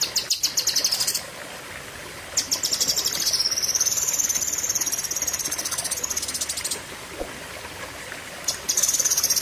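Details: Cream-throated white-eye (Zosterops atriceps) giving a long, intense song: very high, fast twittering in long bursts of rapid sharp notes, with one extended rattling run in the middle, over a faint hum.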